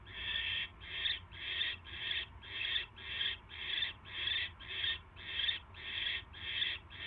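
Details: Nighttime barn owl at the nest, January 22, 2016, 10:22 PM, as a mouse arrives: a steady series of about thirteen loud, harsh hiss-like rasps, nearly two each second.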